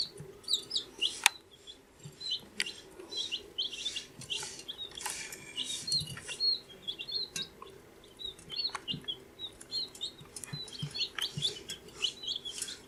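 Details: Fourteen-day-old chicks peeping: soft, high, short chirps in loose clusters from several birds, rising and falling slightly, with intermittent taps and rustling in the background.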